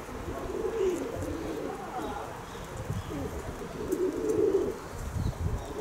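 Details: Kept pigeons cooing: two low, throaty rolling coos, one near the start and another around four seconds, over a steady low rumble of background noise.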